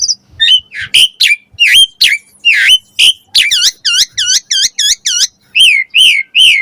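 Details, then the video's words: Javan pied starling song used to lure and train young starlings: loud varied whistles, then a fast run of repeated looping notes, ending with three clear descending whistles. "Pancingan Jalak Suren Auto NYAUT RESPON Mompa Gacor Full Isian Buat Masteran Suara Burung Jalak Muda"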